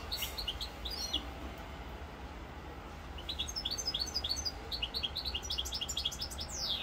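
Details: Corsican recording of a European goldfinch, 7 November 2022: after a short opening twitter and a quiet gap, a lively stream of quick, liquid chirping notes runs on, ending with a descending thin slur.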